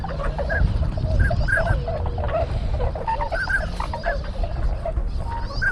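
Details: Sugo-swamp in Bando, Ibaraki, Japan, 6 January 2020, GoPro HERO7 recording: a crowd of tundra swans (Bewick's swans) mingling with pintail ducks gives a dense chorus of short bugling honks, some rising or drawn out, over low wind noise.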